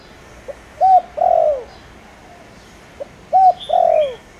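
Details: Spotted dove lure with a 'tho dong' voice, cooing to provoke wild doves. It repeats the same phrase twice, about every three seconds: a soft pip, a level coo and a long descending coo. High thin chirps of another bird appear briefly.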